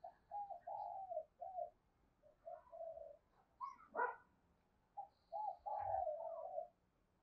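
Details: Spotted dove in the 'thổ' voice 'gù thúc' style, used to lure wild doves into answering: a faint series of short and longer cooing notes in uneven groups, over a hissy, noisy background.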